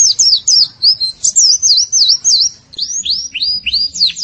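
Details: White-eye singing on a masteran training recording: a string of high wavering whistles that rise and fall, then a brief pause, followed by a series of arching, down-slurred notes.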